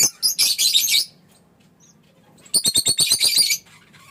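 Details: Fischer's lovebird singing: a dense, rasping chatter of high notes for about a second, a pause, then a rhythmic burst of about ten buzzy chirps in quick succession.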